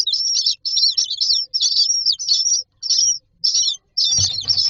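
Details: Common myna chicks in a nest box, standing in a row waiting for food, give rapid harsh squeaky begging calls in quick bursts, nearly continuous, with a rustling, scraping patch near the end.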